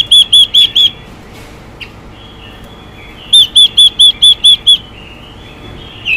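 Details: Female Chinese hwamei calling xùy to provoke males: four quick clear whistles, a long lull with a single click, then a second run of seven bright arched whistles delivered at a brisk, even pace.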